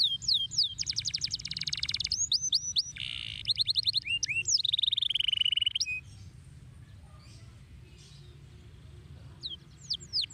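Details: Canary singing a fast varied song: rapid clicking trills, upswept whistled notes and a long sliding whistle over six seconds, then near silence with a few scattered high notes and low background hum.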